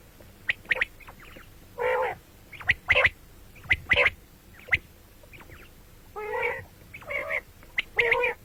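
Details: Common quail calling morning and night, mixing sharp high clipped notes with several broad, buzzy, wavering bursts in an irregular run.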